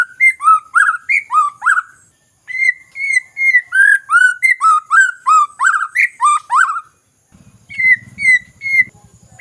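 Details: ['White-rumped shama song played as a lure to spur reluctant singers. Long runs of ringing whistled notes rising and falling, with a pause midway. A low buzzing rumble underlies the final notes.']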